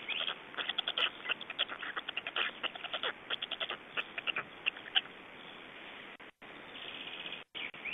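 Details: Estonian black storks during feeding, 25 May 2012, around 17:00; fast trains of scratchy, broadband pulses, several per second, fading near the end with brief dropouts in the sound.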